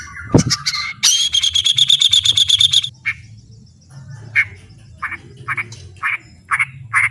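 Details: White-rumped shama song recorded as training material: a sharp opening note, a rapid even trill of high ticking notes lasting almost two seconds, then short clipped chips repeated roughly every half second over a low background hum.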